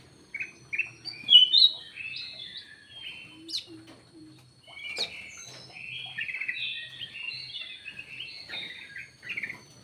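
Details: Lure call of the ruby-throated bulbul, locally kutilang emas, with dense runs of quick bright whistles and chirps, some sharp clicks, carrying on steadily with brief pauses.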